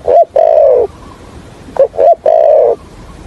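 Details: A spotted dove used as a decoy in trapping, with the thổ Hạp bổi voice, utters two quick coo phrases. Each has a short note or two and then a long, level, low-pitched hum.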